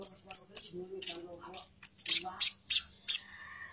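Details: Female plain-throated sunbird calling the male: three quick piercing chips, a pause with soft voices, then four more sharp high notes in quick succession.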